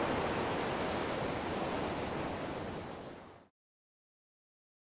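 Broad rushing water noise like surf or a waterfall that fades and cuts to silence after three and a half seconds, with no animal sound.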